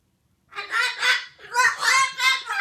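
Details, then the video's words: An angry parrot lets out two loud, harsh, raspy screeching bursts, each about a second long, back to back with almost no pause. "Parrot rage mode activated!"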